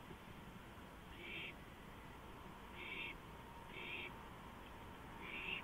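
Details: An owl calling from a porch at 2:05 AM, April 5, 2015. It gives four rough hissing bursts at irregular intervals of one to one and a half seconds, above steady faint noise.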